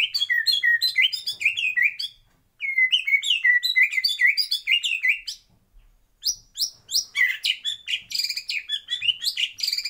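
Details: Caged white-rumped shama in a breeding aviary delivering rich, varied song: rapid strings of slurred whistles and chattering notes in dense phrases, broken by two short pauses.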